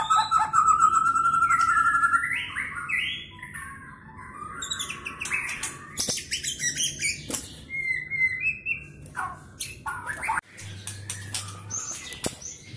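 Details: Medan-type white-rumped shama in contest preparation, its song filled with imitations of cililin, canary and lovebird. A long steady whistle opens, then quick varied chirps, trills and sharp high ticks, with a faint low hum behind.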